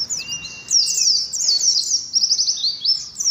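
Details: Ngalas song, Oriental white-eye, in competition: high tumbling chirps delivered in quick bursts with short gaps, over a thin steady whistle near the start.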